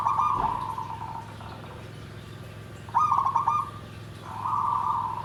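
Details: Nggandem gedhe garing style song of a zebra dove (perkutut). A sustained coo fades out, then a short rapid trill, then another long, smooth coo begins. Steady low hum throughout.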